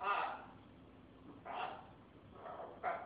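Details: Military macaw, described as a talking macaw, giving several short harsh squawks in bursts about a second apart, each broad and raspy, with a quiet room behind.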